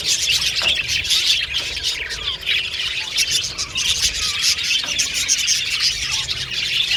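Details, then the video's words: Budgerigars in an aviary colony, many birds chattering at once: a dense, continuous wash of high chirps, squeaks and short warbles with no pauses, steady in loudness throughout. "Beautiful Budgies Chirping Sound"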